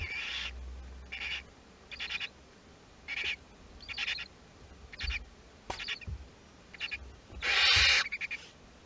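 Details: Western barn owl in a nest box at Théding during the hatching of chicks two to six of a second brood, 22 August 2021; harsh broadband hissing bursts repeat roughly every second, one longer louder screech near the end, with faint low hum.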